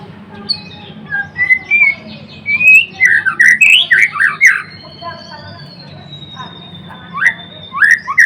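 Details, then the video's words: White-rumped shama (murai batu) singing a mix of whistled notes and rapid slurred phrases, a long thin high whistle in between, with a few sharp notes closing. "Kicauan MURAI BATU GACOR (Murai Blorok gacor)"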